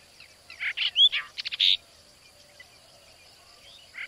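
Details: Brahminy starling (brahminy myna) in a village in India, giving a short burst of harsh chattering notes mixed with a clear rising whistle and a quick series of clicks, then quiet with faint background.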